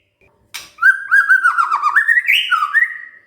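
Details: Provoked white-rumped shama giving a rich continuous warble, fluting and rolling, climbing toward a higher whistle, then dropping to a steady closing note, after a sharp click at the start.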